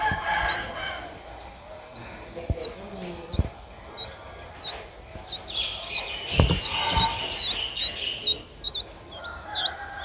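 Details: Streak-eared bulbul nestling, seven days old and just opening its eyes, in Ubon Ratchathani, Thailand, on 9 April 2023. It gives high, upswept chirps repeated rapidly and irregularly, thickening into a busy run midway, over soft rustling and low thumps.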